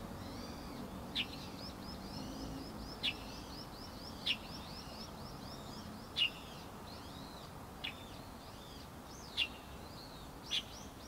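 Light-vented bulbuls keep up a steady, high chattering of short, slurred notes, with sharp clicks every second or two.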